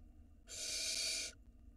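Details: Barn owl nestling at the nest entrance, recorded by a live nest camera in Israel in 2022. A single harsh, airy hiss lasts nearly a second against low steady hum.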